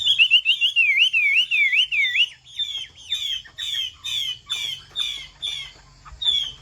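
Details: Chinese hwamei (Bộ Tam Hoàng type) delivering its rain-like pattering song: a fast rolling run of wavering whistles, then spaced, emphatic slurred whistled phrases repeated roughly every half second, clear and loud against a quiet background.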